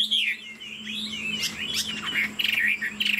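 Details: A Chinese hwamei, described as 90% pure, sings a rich, fast run of varied whistles and slurred phrases while flicking its wings and bobbing its head, bright and high, over a steady low electrical hum.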